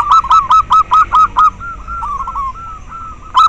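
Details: Local zebra dove call used for tutoring and luring captive doves: seven loud, ringing staccato notes at a steady quick beat, followed by a softer run of rolling, wavering coos and another loud note at the end.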